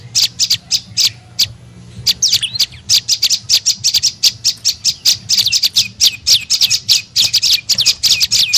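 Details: Lure call of the prenjak lumut, a tailorbird, used to draw birds in: fast runs of piercing high chirps, a brief near-pause around the second second, then dense rapid chirping resumes.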